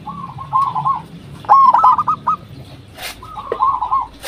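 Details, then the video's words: Local zebra dove lure call: three soft rolling coo phrases, the middle one louder with separated pulsing notes, against a faint hum and a brief click. "Perkutut Lokal Gacor RAJA PIKAT Ahlinya Bikin Semua Burung Perkutut Pada Nyaut"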